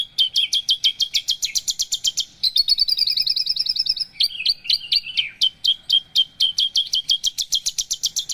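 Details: Javan bush lark singing a long, varied sequence of rapid staccato chirps, broken by a dense buzzy trill and then a return to evenly spaced high notes. No other sounds.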